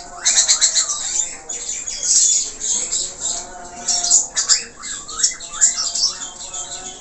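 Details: Lively 'gacor' budgerigar singing with many filler notes: harsh squawky bursts alternate with looping, rising-and-falling whistled chirps in uneven clusters.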